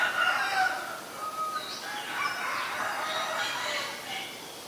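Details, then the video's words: Common myna recorded in Ubon Ratchathani, Thailand, on February 28, 2022, with a Nikon P1000: a busy run of varied chattering and whistled notes, some rising or falling, loudest in the first second and continuing steadily without pause. "นกเอี้ยงสาริกา (Common Myna)"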